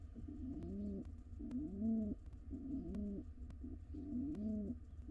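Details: Courting wild pigeon pair in a nest box: low, bubbling coos repeated roughly once a second, each phrase swelling and curving downward, over a steady low hum and scattered taps.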